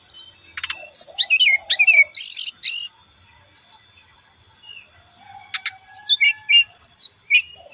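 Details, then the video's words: Brown-chested jungle flycatcher singing its relaxed song, used as a lure. Rapid varied phrases of rising and falling whistles and chirps, a brief pause, then more high chattering notes, over faint low cooing. "SRDC Bunyi Santai Pancingan"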